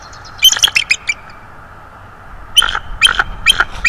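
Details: Subadult bald eagle, a visitor of about three to four years old at a nest on 19 December 2022, gives haunting vocals: two bursts of short, high, squeaky chittering notes separated by a quiet pause.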